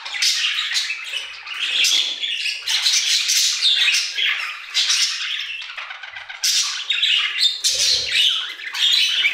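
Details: Budgerigars chattering in an aviary, a lively stream of chirps, squawks and buzzy warbled notes from many birds, pulsing in short bursts.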